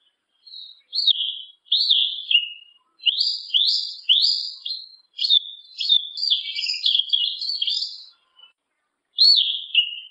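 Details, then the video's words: Yellow-legged thrush delivering a string of bright, high slurred whistles, each phrase dropping in pitch, building into a fast jumbled twitter mid-song, then a lone downslurred note after a pause; nothing else audible. "SABIÁ UNA PRETA E SEU CANTAR, SABIÁ CHAMANDO, O CANTO DO SABIÁ PRETO"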